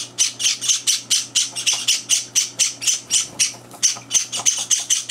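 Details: Java sparrow chicks begging at breakfast on their third day in a new home, with two older birds intruding; rapid, steady string of harsh high squeaky chirps, about four per second, loud and insistent throughout.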